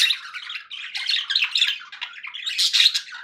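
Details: Pet budgerigars pour out a continuous stream of scratchy warbled chatter and squawks, louder toward the end.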